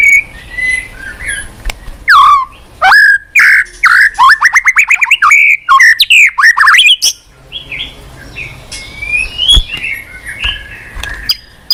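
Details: White-rumped shama singing a lure song meant to set a silent caged shama singing: loud, rapid run of sharp whistled and squeaky notes, many fast up-down slurs packed together, followed by softer scattered chirps and whistles.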